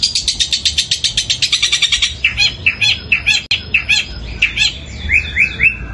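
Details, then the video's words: Long-tailed shrike pouring out long, powerful sparrow-imitating song in fighting style: a run of evenly spaced rapid chirps about five per second, then mixed harsh notes and quick rising whistles. "Cendet suara gereja tarung sambung kunti gacor panjang keras powernya"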